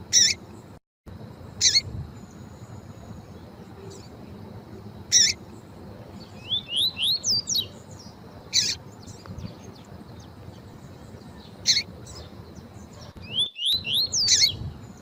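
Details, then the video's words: Female double-collared seedeater calling to excite a male, as used to warm up males for singing tournaments: quick bursts of three or four high, rising chirps separated by sharp clicking snaps, over a faint steady whine. "COLEIRO TUÍ-TUÍ COM FÊMEA CHAMANDO PARA ESQUENTAR COLEIRO TUÍ-TUÍ"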